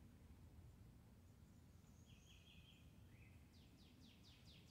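Cardinal with thin, steady whistles, then a run of about six quick downslurred notes. A constant low rumble sits underneath.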